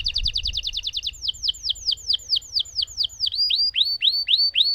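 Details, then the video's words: Lemon canary singing a long roll: a fast stuttering trill for about a second, then a steady run of clear down-swept whistled notes, roughly four per second, ending in rising-then-falling slurs. "Burung Kenari Lemon Gacor Ngerol Panjang"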